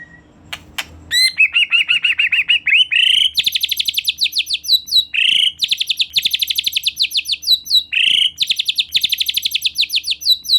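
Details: Energetic white-rumped shama (murai batu gacor) used as a lure to make another shama sing: a rising ladder of notes leads into long, very fast high trills with quick upward flicks, almost continuous for ten seconds.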